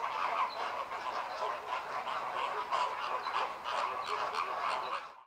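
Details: Flock of Caribbean flamingos in group courtship display, synchronizing head-turning and wing-opening to time breeding together. A dense, continuous chorus of overlapping nasal, goose-like honks fills the whole stretch, rising and falling without pause.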